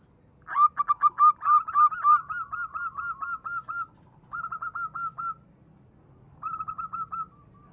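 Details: Local zebra dove in full, lively song with a sweet, small voice suited for luring birds: a fast run of rolling cooing notes, then two shorter bursts of the same rolled phrase, over a steady faint high whine.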